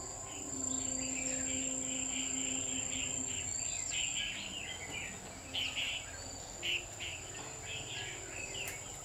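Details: Red-whiskered bulbul heard during trapping on 6 October 2019: short warbled, chattering phrases in quick bursts throughout, some louder notes near the end, set against a constant thin, high-pitched insect drone.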